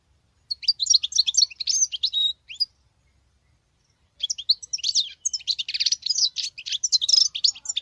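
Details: Female European goldfinch singing like a male, kept as a caged bird: two bursts of rapid twittering, tinkling high notes with buzzy trills, separated by a pause of nearly two seconds.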